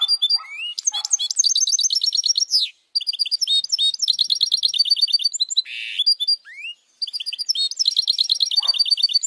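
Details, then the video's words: Hybrid goldfinch (goldfinch mule) singing clean for song training: long runs of fast, high, tinkling trills and chatters, broken by brief gaps, a rising slurred whistle and a short buzzy rasp. "Goldfinch Mule singing for training songs | Mixto Jilguero cantando _Stieglitz singt"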